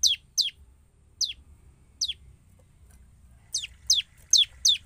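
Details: Sharp high descending notes from a Bar-winged prinia, a 'gacor' lure meant to provoke other prinias: spaced single and paired chips with gaps, then a tighter group of four near the end.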